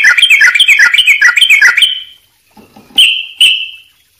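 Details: Sooty-headed bulbul singing in 'gacor' style with tight spacing and full fill-ins: about two seconds of rapid, bubbly chirped notes, a short pause with soft clicks, then two sustained clear whistles.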